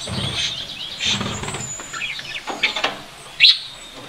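Budgerigars chatter in a busy stream of high, scratchy chirps and squeaks, with one sharp bright chirp standing out.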